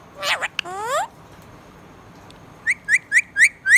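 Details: Pet budgerigar calls: a couple of loud harmonic-rich rising notes, a brief silence, then five quick upswept whistled chirps repeated about every quarter second.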